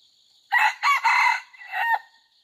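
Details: Red junglefowl, an F2 bird kept for training, recorded 5/9/2020: a harsh, loud crow of three quick rasping syllables, then a lower, drawn-out final note fading after about one and a half seconds, with faint insect hum behind.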